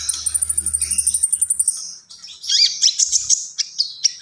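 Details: A common iora opens with a fast series of high, evenly spaced ticking notes, then breaks into a varied, squeaky whistled warble with rising and falling slurs.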